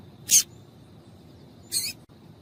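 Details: A pair of short, high, slightly buzzy chips from a female yellow-bellied seedeater, about one and a half seconds apart, calling to stimulate males.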